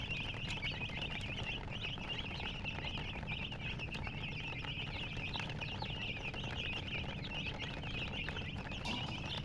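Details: Many colored baby chickens peep constantly, their thin, high chirps crowding over each other in an unbroken chatter, with a low hum and faint clucking beneath.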